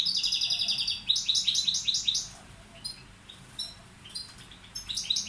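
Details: Tutor goldfinch of the Balkan form balcanica opening with a bright buzzy trill, then a run of chunky twittered notes, a quieter stretch of scattered chips and a final buzzy burst.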